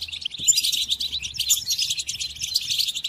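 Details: Captive-training recording of a European goldfinch: a short, continuous rush of bright, tinkling twitters and thin whistles, steady in volume, with a faint low hum and a knock near the start.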